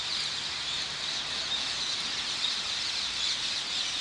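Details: Several hundred Rose-ringed parakeets gathered in the morning on the small island in the Hofvijver, The Hague, Netherlands; a dense, unbroken wall of shrill screeching with no single call standing out.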